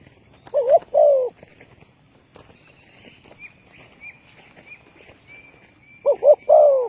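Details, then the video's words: Spotted dove calling, used as a lure for trapping wild doves. A hoarse short note leads into a longer, lower, falling coo. The phrase is heard at the start and again near the end, with thin high whistled tones in between. "Sound Of dove"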